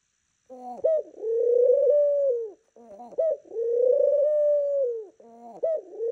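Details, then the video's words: A pet dove coos good morning: low, hoarse, drawn-out coos near one steady pitch, each lasting over a second, with short choppy notes between them, recorded indoors. "ATLAS the dove says GOODMORNING COO"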